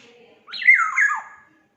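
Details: Harsh, rasping call of a black-naped oriole of Sumbawa stock: a single nasal squawk that jumps up sharply, then wavers and slides downward over about one second. Faint low sounds come just before it.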